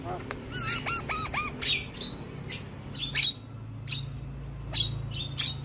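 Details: Tutor recording of a male Javan myna's provoking song: a few quick hooked whistles, then sparse sharp squeaks and clicks spaced out by short gaps.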